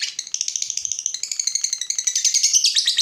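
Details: Lovebird giving a long ngekek trill, used to stimulate other lovebirds to sing: a dense, rapid chattering rattle of high buzzy notes, rising in strength and pitch toward the end.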